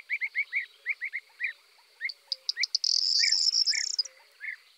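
Eurasian tree sparrow giving short, rising-falling chirps in quick series, then a brief buzzy, rattling chatter before the chirps resume more slowly.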